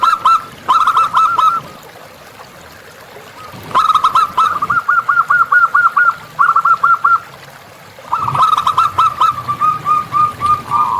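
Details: Wild local zebra dove song, three bursts of rapid staccato cooing notes separated by quiet gaps, the middle burst a neat evenly paced series.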